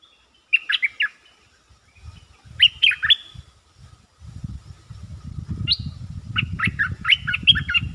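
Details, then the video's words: Caged stripe-throated bulbul singing a lure song: short bubbly phrases of five or six quick warbled notes, repeated every two seconds or so, over low rumbling thumps and knocking. "Suara pikat merbah lekir gacor"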